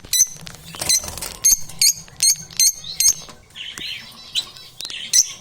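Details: Lovebirds with strange sounds and crunching: sharp, high chirps repeated about every half second, followed by softer, buzzy, wavering calls and faint clicks.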